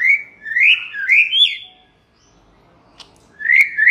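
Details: Singing white-rumped shama, meant to spur other shamas to answer: a run of rich rising whistles, a pause of about a second and a half, then the whistling resumes with a quick upward slide.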